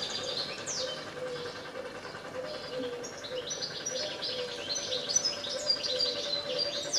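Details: Goldfinch perched on power lines delivering a continuous, rapid twittering song of sweet, tinkling, slurred and rising notes that run on for several seconds, with a persistent machine-like hum and faint low tone underneath.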